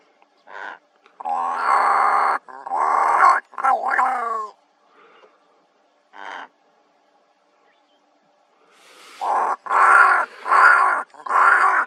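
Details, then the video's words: Two wild ravens in Kgalagadi Transfrontier Park, 11 October 2021, giving hoarse, throaty croaks in clusters, a burst of several near the start, a few isolated ones in the middle, then a loud run of repeated croaks at the end. "TWO RAVES MAKING NOISE"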